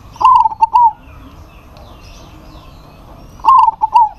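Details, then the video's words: Keen local zebra dove calling to a rival bird that answers back: two bright, stuttering coo phrases, each about a second long and made of rapid wavering notes, separated by a quiet gap of over two seconds. "PERKUTUT LOKAL GACOR MEMANGGIL LAWAN PASTI NYAUT"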